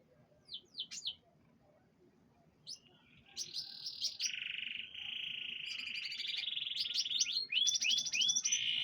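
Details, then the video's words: Canary in a pengembunan (dew-exposure) session: a few high chirps, then an unbroken song of long rolling trills at steady pitch, shifting between several sustained rolls and ending with quick looping whistled notes. "pengembunan burung kenari"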